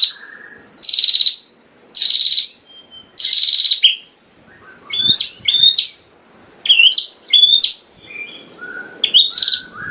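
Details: White-rumped shama tutoring song for caged birds. Three loud buzzy chirped bursts about a second apart, followed by a series of bright swept whistles and twangy notes separated by short pauses.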